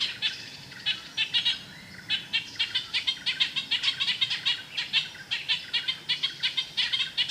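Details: Ochraceous Bulbul, Thailand, xeno-canto recording: grating, nasal notes delivered in rapid uneven series, a brief gap near the start, then steady scratchy chattering to the end.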